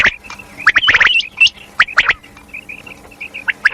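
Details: Female common quail (batair) calling: short sharp chirps and clipped whistled notes, some rising, in quick clusters, then scattered single chirps, with overlapping chatter early on.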